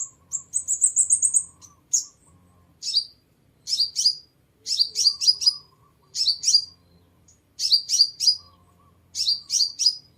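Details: Sunbird lure song: an opening trill of quick high notes, then repeated clusters of two to four piercing down-slurred chirps about every second, with a faint low hum underneath.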